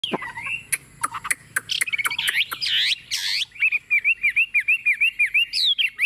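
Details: Tame Chinese hwamei, hand-raised, sitting on a table and singing confidently: sharp clicks and short notes first, then loud, rich whistled phrases and a run of rapid repeated rising-falling whistles, about three per second.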